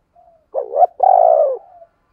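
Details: Spotted dove kept as a decoy to provoke others to coo: a quiet lead-in note, then two loud, deep, hollow coos, the second longer and gently falling, then a soft fading tail.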